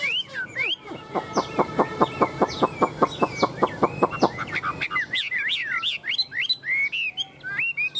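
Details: Chinese hwamei, tame and caged, clinging to the bars with a wing-and-tail display, starts with a rapid even series of dry pulses about five per second, then shifts into varied rising and falling whistled phrases.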